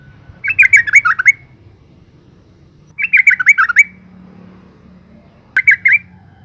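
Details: A female yellow-vented bulbul gives a call meant to draw males into song: two full bubbly bursts of wavering chirps, then a shorter third burst. A click and a faint low hum sound in the background.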